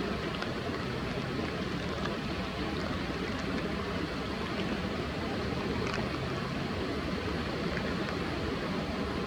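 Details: Steady rushing water and a low vehicle rumble fill the recording, with no clear animal call.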